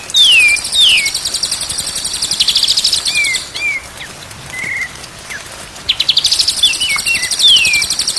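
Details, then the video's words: Tutor recording of white-rumped shama song for making birds sing, day and night: falling whistles, short hooked notes and a level whistle, separated by fast, harsh high rattling trills. "MASTERAN MURAI BATU SIANG dan MALAM DI JAMIN BURUNG JADI GAGOR"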